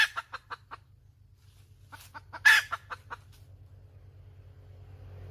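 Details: Short hen clucks, a quiet gap, then a loud squawk with a quick run of clucks, after which a low hum and noise fill the remainder.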